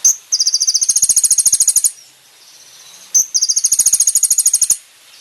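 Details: Kolibri ninja singing on a training recording for caged birds. Two high trills, each opening with a sharp note and running as a fast even string of bright ticking notes for about one and a half seconds.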